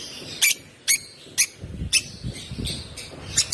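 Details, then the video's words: Regular high chirps roughly every half second come from a hand-fed African lovebird chick, one month old, each note short and buzzy, with low thumping and rustling sounds in between. "Chirping sound of this lovebird"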